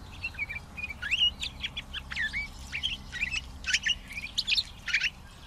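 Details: Pine grosbeak in steady song, a continuous chatter of bright chirps mixed with curved, sliding whistles, strung together for over five seconds.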